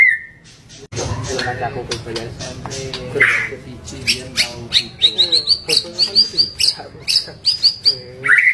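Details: White-rumped shama in rough, varied song: a harsh squawk and mixed chatter, then a fast series of sharp high chips repeated steadily for several seconds.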